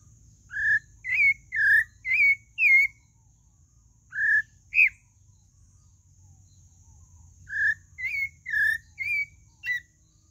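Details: Pale-breasted thrush singing: clear whistled notes near the same pitch, some rising or slurred, given in two bursts of about five notes separated by a pause, with a faint steady high hiss behind.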